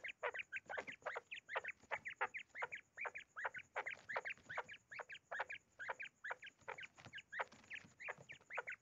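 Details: Hand-tamed common quail in an angry mood giving quick, repeated chirping calls, two or three a second, each sliding up and down; a faint steady high whine behind.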